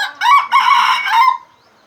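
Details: Red junglefowl of Aceh in a luring setup with an F1 hybrid: a loud broken crow in three connected phrases lasting over a second, fading off at the end.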